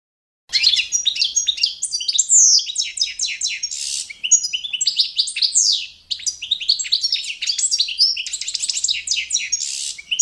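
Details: Balkan goldfinch singing to the standard used for training and championships: a long, unbroken stream of rapid twitters, harsh buzzy bursts and descending trills, rising and falling in loudness, clean recording.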